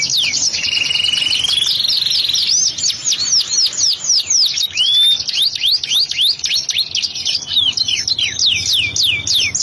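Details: Domestic canary singing actively in a lavish, long-running song style: rapid rolling trill and a rising whistled glide, then a dense run of high, quick downward-sweeping notes repeated several times a second, with light background music.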